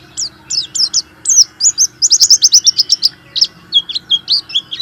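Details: Warbling white-eye, a caged bird played mornings and evenings to stimulate reluctant white-eyes, delivering a fast, continuous twittering song of high, sharp, slurred notes, about five per second.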